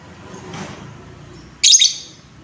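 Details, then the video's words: Lovebird in a recording used to stir up other lovebirds: a soft, muffled rustle early on, then one loud, piercing, raspy chirp that fades out over a low hum. "Suara pancingan lovebird Bahan, menaikan emosi lovebird"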